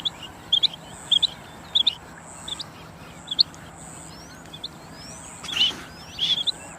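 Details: Rain quail heard in a hunting setting, giving clear, high, sharp paired notes repeated roughly every half second, with one brief loud rustling burst near the end and a faint steady high tone behind.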